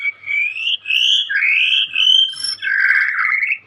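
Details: Young white-rumped shama in Indonesia, a caged songbird, delivering loud rising whistled slurs in three long phrases, the last one rough and buzzy.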